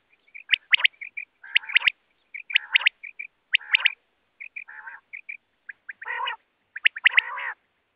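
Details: Common quail calls used for hunting: rapid, sharp triple notes mixed with lower nasal, buzzy bursts, overlapping and densely repeated, giving a busy, uneven rhythm. No other sounds.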